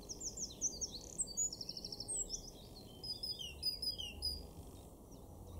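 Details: Eurasian wren singing in a garden in Weener, East Frisia, far northwest Germany, in April 2024: a loud, high, rapid outpouring of fast trills and sharp chattering notes, tumbling on for several seconds over a steady low background rumble.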